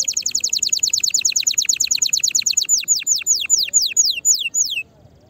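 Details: Fired-up canary singing to stimulate other canaries: a quick rolling trill of high notes gradually slowing into separate descending whistles, then stopping abruptly.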